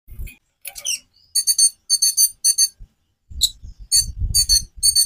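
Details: White-rumped shama song, meant to spark singing in other birds: groups of buzzy, rattling high notes repeated in short clusters, with dull low knocks and thumps in the background.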